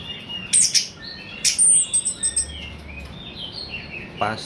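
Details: Orange-headed thrush, song used as a lure to make other birds sing: short sharp high chirps and thin whistles in quick irregular clusters, with a faint low hum behind.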